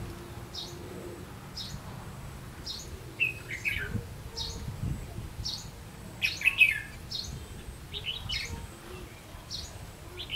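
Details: Decoy red-whiskered bulbul singing to draw wild birds toward a trap, 30 May 2016: high sharp chirps repeated roughly every second, with a few louder squawky, warbled phrases midway and faint rumbling underneath.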